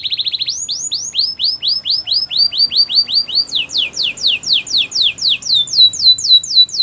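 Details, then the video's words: Canary singing a song for training other canaries: a quick buzzy burst, then many looping rising-falling whistles repeated steadily, changing partway through to faster, higher descending notes. "Canary training champion song!! Canary's most powerful song for training"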